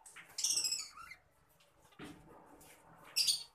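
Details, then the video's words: Adult green Fischer's lovebird, a caged pet bird, producing a few sharp, high squeaky chirps separated by quiet gaps, with faint low background hum. "Lovebird Green Fishar | Lovebird sounds"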